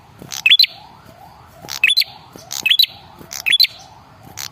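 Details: Red-headed prinia, male, lure call for provoking replies: sharp clicks and short rising whistled chirps in tight groups, spaced under a second apart.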